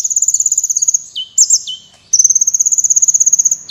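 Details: Energetic, prize-winning kolibri wulung sunbird recorded as a tutor for competition birds: long, fast, even trills of high pulses framing a couple of stuttered notes and downward slurs.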